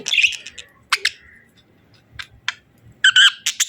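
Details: Sparse budgerigar chirps: a few sharp squawks and short whistled notes separated by quiet gaps, ending in a louder burst of chirping.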